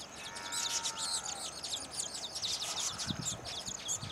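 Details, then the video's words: Baya weavers at their nests in a wing-fluttering mating dance; rapid, crowded ticking chirps run without pause, high-pitched and chattery, with faint low knocks near the end. "Baya Weavers sing and dance after building their nests"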